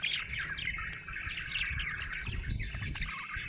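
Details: Continuous happy chirping from a budgerigar, dense squeaky warbling chatter without breaks, with a noticeable low rumble underneath.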